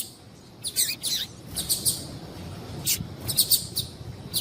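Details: Female papa-capim seedeater calling, a call said to make male papa-capim sing. Short, bright, high chirps come in loose clusters of two or three, about a dozen notes over four seconds, over a soft steady background hiss.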